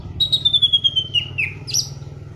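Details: Lively laughingthrush song, a Black-throated laughingthrush used as a training lure and tutor: one long whistle sliding gradually downward, ending in a sharp upward flick, over a constant low mechanical hum.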